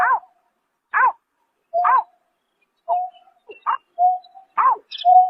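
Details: Greater painted-snipe calling at night in March 2024: short, bright, arched notes alternate with steady, hollow, flat-pitched hoots, about one per second, against a silent background.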